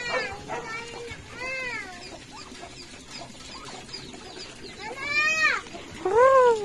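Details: Turkey giving arched, rising-then-falling yelping calls in scattered bursts, loudest near the end, over a murmuring background with faint voices.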